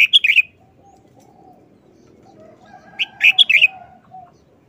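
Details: Red-whiskered bulbul kept caged, repeating a short, fast wild-style song phrase twice: quick sets of clear, ringing whistled notes with a quiet stretch between them.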